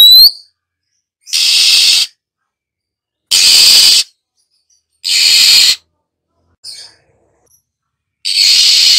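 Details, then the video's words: Female Oriental magpie-robin hissing to stir other birds into song: a brief whistle, then four harsh noisy hisses about two seconds apart, with one faint note between them. "Tiếng than mái khè, rít, hót kích bổi chuẩn, bổi mở mỏ chơi ngay!"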